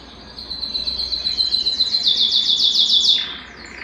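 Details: Canary at home, excited and wanting to mate: a fast trill swelling in loudness into a rapid series of rolled high syllables, ending with a brief lower buzzy note.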